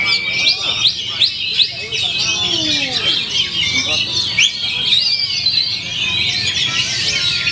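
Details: Oriental magpie-robin, a contest bird that won first place at a club anniversary bird-singing competition, performing in full form: rapid, varied whistled and chattering phrases, high and bright, over continuous men's talk and commentary nearby.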